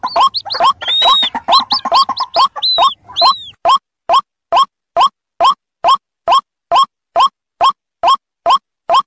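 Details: White-breasted waterhen lure combining chick and adult voices: a noisy cluster of squeals and arched whistles, then a steady series of identical short rising notes repeated about twice per second.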